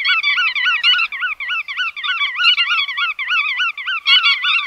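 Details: Dense, wavering nasal chatter of bar-tailed godwits. Each call rises and falls, and many run together continuously, with a brief sharp click near the end.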